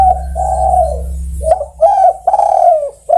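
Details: Spotted dove calling to other birds: a series of low hollow coos, short notes followed by a long drawn-out wavering coo, repeated with brief gaps; faint constant hum in the background.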